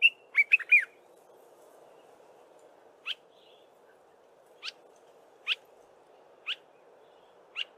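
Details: A Dark-capped bulbul singing in the early morning opens with a quick run of bright liquid notes, then gives single sharp chirps about once a second over a steady low hum.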